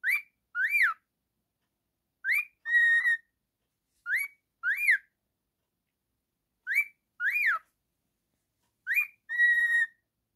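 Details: Male pet cockatiel repeating a two-part whistled phrase about every two seconds: a short upslur followed by either an arched whistle or a long steady note.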